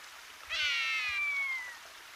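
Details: Rough-legged buzzard (Buteo lagopus) at Hortobágy on 19 March 2022 calls once: a single drawn-out, cat-like mewing squeal, high and slowly falling in pitch over about a second, against faint background hiss.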